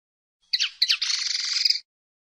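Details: Common linnet song phrase: two quick chirps followed by a sustained dry buzzing trill lasting nearly a second, high and rasping.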